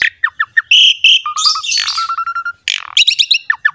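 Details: Varied mimicking song of a Javan pied myna, played to coax other mynas into singing: short falling chips, buzzy sustained tones, a low steady whistle held for about a second, then dense chattering notes.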